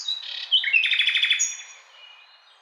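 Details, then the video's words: A Common Nightingale sings a brief, high phrase: a few sharp whistled notes, then a fast rattling run of about eight pulses, trailing off into thin, quiet notes. "Nightingale Song"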